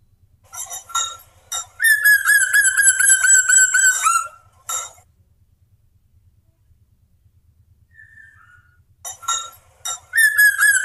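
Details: Black drongo male, a steady singer, performing lure song to prompt other birds: short clipped notes, then a sustained nasal harmonic note around two seconds long, silence, and renewed bursts with a faint low rhythmic pulse beneath.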